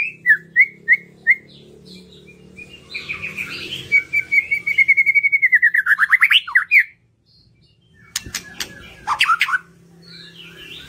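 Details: White-rumped shama lure song for encouraging reluctant birds to sing: spaced whistled notes, then a long accelerating series of quick repeated whistles rising into warbles, a short silence, and sharp clicks and whistles.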